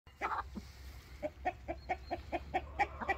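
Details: Rooster complaining, giving a series of short, clipped clucks roughly every quarter second, fairly distant, against a low background hum.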